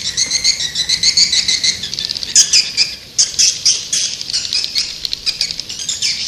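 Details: Swiftlet attraction call, white-nest swiftlet: rapid strings of harsh, high chirps in quick pulses, briefly thinning out in the middle before the busy twittering resumes.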